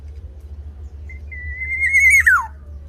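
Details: Mellow whistle from a tame black-naped oriole, starting softly, swelling as it rises slightly, then dropping in a fast warbled downward flourish; steady low rumble in the background.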